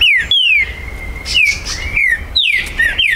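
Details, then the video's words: Green-winged saltator, a territorial bird kept by a registered Brazilian breeder, recorded 19 September 2020 to stir another bird to sing; loud clear whistled notes sliding downward, spaced phrases with a faint background hum. "ESQUENTE MUITO seu TRINCA FERRO, vídeo para estimulo"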